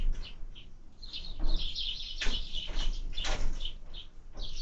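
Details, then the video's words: Sparrow feeding at a feeder, recorded 20 February 2024: quick high chirps in irregular bursts, mixed with several broad knocking or sliding thumps and low background rumble. "Ужин воробья"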